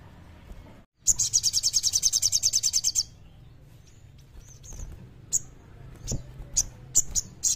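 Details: Common iora singing energetically in the kleper style, used as a lure for birds that sing little: after a brief gap, a rapid high buzzy trill of about twenty pulses lasting two seconds, then scattered sharp high chips over a low background hum.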